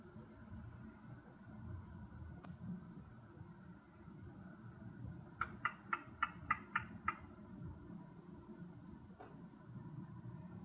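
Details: Hooded crow in a backyard in Dublin making unusual quiet sounds, possibly for close-range communication or in a relaxed state: a quick series of about seven dry knocking clicks over a low, steady background rumble.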